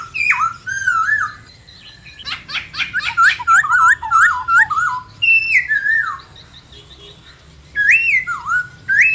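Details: A White-browed laughingthrush sings in many-voiced wild style, mixing falling whistled phrases, a rapid stuttering series of short notes, and spaced rising-falling whistles separated by brief pauses.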